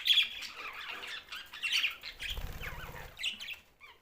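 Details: Budgerigar chatter, high scratchy warbles and squeaks from a group of these Australian parrots, with a short burst of wing flapping midway and a quieter ending.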